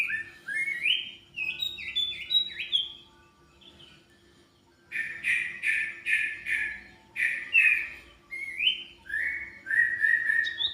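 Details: Common iora in lively full song: slurred rising whistles around the start, then after a pause a dense series of bright, ringing chirped notes and trills, ending in more upslurred whistles; a steady low hum underneath.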